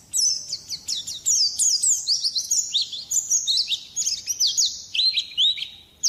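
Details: Champion white-eye in full song: a fast, high stream of thin chirps and sweeping whistled notes, packed tightly with scarcely a pause over six seconds.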